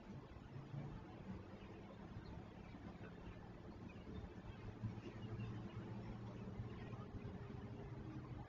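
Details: Low engine-like humming and background rumble continue throughout, with no animal voice present.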